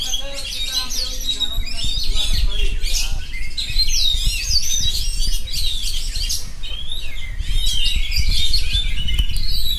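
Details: Ceaseless ngerol singing by an oriental magpie-robin: loud, varied runs of sharp chips, squeaks and whistled flourishes, with steady background rumble.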